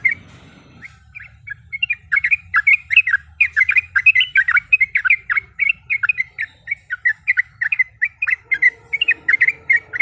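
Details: Female yellow-vented bulbul calling to a male, as a lure to stir up rival birds: sparse chirps that build after two seconds into a dense, fast chattering stream of warbled notes, with a low hum early on.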